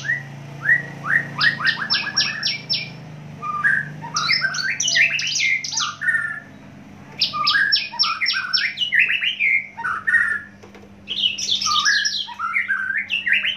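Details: Javan bush lark from Java in full song, long varied phrases mixing rapid trills, rattling note series and high and mid-pitched slurred whistles, almost continuous with short breaks, over a low background hum.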